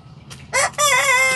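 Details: Young Sanjak cockerel starting to crow: a faint short note, then a loud, harsh crow that opens with a rough burst and settles into a steady, rich, slightly falling tone lasting over half a second.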